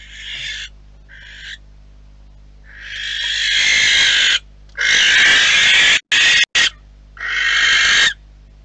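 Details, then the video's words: Two barn owls fighting: harsh, hissing screeches in a series of loud outbursts, some brief and others nearly two seconds long, with short silent gaps, over a low steady hum. "Pelea de lechuzas. Fighting owls."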